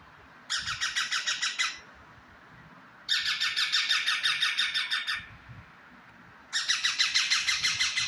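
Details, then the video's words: Pet parrot giving three bursts of rapid, harsh, pulsed squawks, each run lasting one to two seconds with short gaps of quiet between them. "parrot khata mitha angur khata he"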